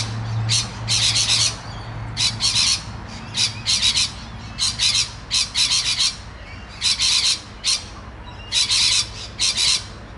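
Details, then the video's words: Rainbow lorikeet noisily chatting to its friends on the Olinda Creek Trail in Montrose, Victoria, Australia: bursts of harsh, screechy high-pitched squawks in clusters, repeated through the clip, with a low hum underneath. "A Rainbow Lorikeet talking to its friends."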